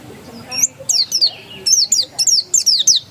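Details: White-eye of the pleci dakun type giving persistent ngotot song: rapid high, sharp notes sliding downward, packed into bursts of two or three, repeated steadily across three seconds over faint background noise.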